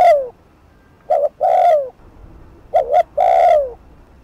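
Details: Spotted dove, known locally as cu gáy or cu đất, giving quick 'thúc gù' coos to stir up a rival at the decoy. Mellow low double note plus sliding coo, heard twice after a trailing note.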